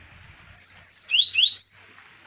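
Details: Double-collared seedeater from Arapiraca, Alagoas, Brazil, recorded in 2020, delivering a short bright song: two high descending whistles, two lower upward-swept notes, then a sharp high closing note, with faint low rumble beneath.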